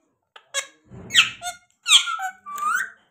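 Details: A pet parrot makes a handful of squeaky, rising calls with a soft rasp between them, then slurred whistled squeaks that bend upward near the end.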